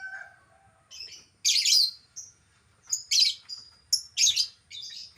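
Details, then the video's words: Albino lovebird, a pet, with squeaky whistles leading into repeated loud harsh shrieks alternating with short sharp high chirps. "burung lovebird albino yang jadi primadona"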